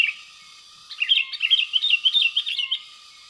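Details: Sooty-headed bulbul, lured for trapping without glue in West Lampung, Indonesia: a run of quick, bright, warbling chirps that bounce up and down for about two seconds, over a steady high whistling tone with regular dips.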